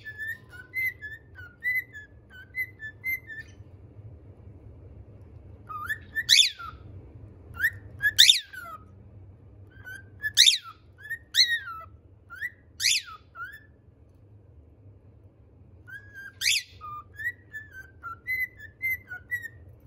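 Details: A six-year-old male pied cockatiel sings a series of clear whistled notes broken by sharp, sweeping chirps.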